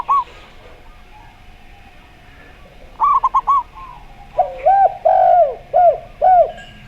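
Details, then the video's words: Perkutut, or zebra dove, in slow-voice song set against a gayer-style derkuku: a quick triplet of bright notes, then a louder run of rounded falling coos near the end over a constant low hum. "Perkutut Suara Slow"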